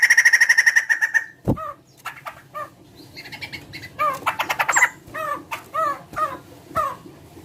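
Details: Large bird, said to sound like a chicken, gives a fast pulsed rattle, then a thump, soft clicks, and a run of downward-curving notes repeated about twice a second.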